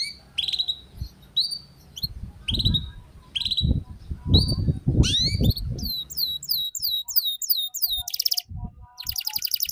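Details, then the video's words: Young canary learning ngeriwik song, with a lure recording: short rising chirps spaced about a second apart over low rumbling and knocking noise, then a run of rapid slurred notes and a harsh buzzy trill. "Suara PANCINGAN Kenari Paud Belajar Bunyi Ngeriwik"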